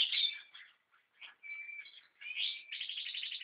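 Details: American goldfinch song, quieter: varied twittering notes and a sustained level whistle, then a burst of warbling ending in a fast, even trill of repeated notes.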